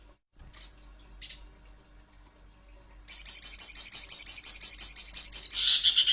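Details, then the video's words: Little spiderhunter, known locally as sogon or sogok ontong, in a lure recording: a couple of faint high chips, then a rapid, even series of very high, sharp notes, about three each second, for three seconds. "Pancingan Sogon ~ Sogok Ontong Pasti Bunyi"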